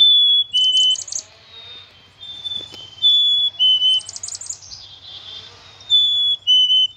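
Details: Black-capped chickadee repeating its pure two-note whistle, high then stepping lower, several times over seven seconds, mixed with bursts of quick buzzy 'dee' notes; a soft low hum and a brief knock in the background.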